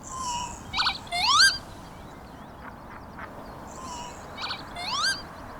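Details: Male Northern Lapwing giving its spring display song in flight near Liverpool, UK, in April–May: a wheezy, buzzy phrase ending in a sharply rising slurred whistle timed with his dive, given twice about three seconds apart, over faint hiss.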